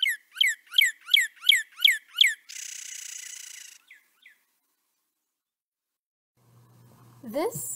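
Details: Common Kentucky backyard bird: Northern Cardinal song, seven loud, clear down-slurred whistles, about three per second, then a dry buzzy trill; a low hum and faint voice follow.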